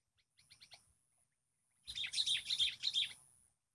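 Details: Wild sooty-headed bulbul responding to a lure bird: soft rapid chirps at first, then after a pause a loud burst of harsh, scratchy chattering notes repeated quickly for about one and a half seconds.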